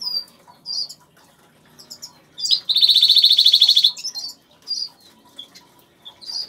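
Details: Major goldfinch of agate colour in an aviary, singing scattered bright, high chirps and twitters around a loud, dense buzzy trill of about a second, then more sharp tinkling notes.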